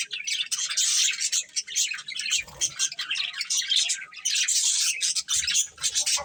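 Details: Colourful pet budgerigars chirping together, a dense continuous chatter of high warbling, squeaky notes and scratchy trills with brief dips, several birds overlapping throughout.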